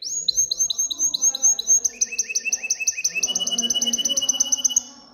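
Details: Canary in excited song to encourage females to mate and nest, delivering a clear series of whistled downward-slurred notes, then a faster run of shorter repeated notes that quicken and fade toward the end.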